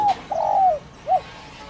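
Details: Rural spotted dove (cu đất) in thổ đồng calling, used to rouse decoy birds: a short hoot, a long level coo sliding down at its end, then one brief closing note.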